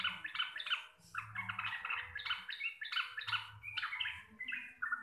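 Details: Local Javanese sooty-headed bulbul in lively 'receh' chattering song with a 'ropel' rolling style, described as deep, clear and loud: dense bursts of short, bubbly whistled notes, rising and falling, packed into rapid phrases with a low hum beneath.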